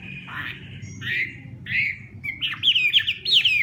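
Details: Hwamei in morning voice-training fighting song: a few harsh, buzzy notes at a spaced, uneven pace, then a quickening run of sharp, bright whistled slurs.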